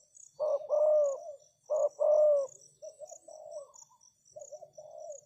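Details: Decoy spotted dove cooing to lure wild doves: two loud, drawn-out hollow coos followed by softer, shorter cooing notes, with a faint pulsing insect chirp high in the background.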